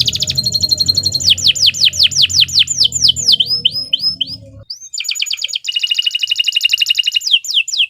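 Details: Canary singing 'gacor panjang' style, long nonstop song for use as a tutor: a run of high descending whistled sweeps and rapid trills, a short break, then quick rattling trills and more sweeps. A low rumble in the first half.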